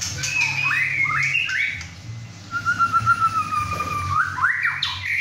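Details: Captive White-rumped shama male, 6½ months old, singing hard in his first home session with two other birds: long drawn whistles, one held steady, ending in quick rising notes.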